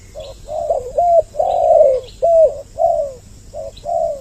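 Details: Spotted dove lure recording with a double voice meant to draw males and females closer: mellow, low coos in short bursts and longer rolling phrases that overlap almost continuously. A faint steady high hiss sits throughout.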